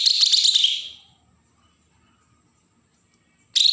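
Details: Bornean green leafbird from Berau, Kalimantan, in an agitated song used to provoke untrained birds: a dense one-second burst of rapid high chattering notes, then near silence before another burst begins.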